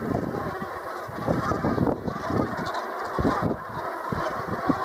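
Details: Brent geese calling together: dense, overlapping low honks and murmuring, continuous throughout with no clear gaps, forming a steady, rough chorus.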